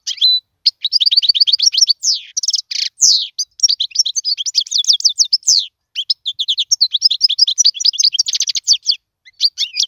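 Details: Goldfinch singing a tutoring song meant for teaching chicks: an almost unbroken stream of rapid liquid twitters, buzzy trills and sharp chirps that runs for nearly ten seconds, with only a brief gap at the start.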